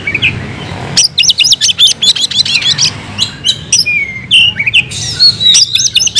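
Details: Fighting song of a caged oriental magpie-robin: a soft whistle, then a burst of fast, sharp chattering notes, followed by scattered clicks, descending slurred whistles and another quick chatter near the end.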